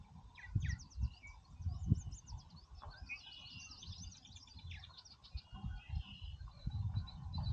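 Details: Purple martins in Oak Harbor, Ohio, keep up dense, overlapping chirps and gurgled warbles, busy around the site, over intermittent low thumps and rumbling noise.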